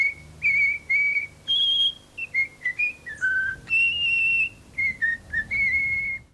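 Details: A young pet common starling in its cage, rescued in Corsica (1989), known to whistle La Marseillaise, whistles a learned tune: pure, steady notes stepping up and down, each under a second, with brief gaps.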